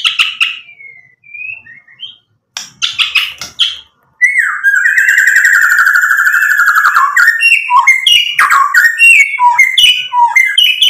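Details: A white-rumped shama in full, energetic song, played to provoke rivals: opening whistled slurs, a buzzy burst, then a long wavering trilled whistle held for about three seconds, followed by quick varied whistled phrases.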